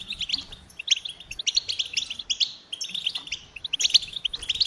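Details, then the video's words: Goldfinch song made of distinct, bright high chirps and tinkling notes in quick rhythmic groups, with a short pause midway before the twittering resumes. "Experience the Goldfinch Singing"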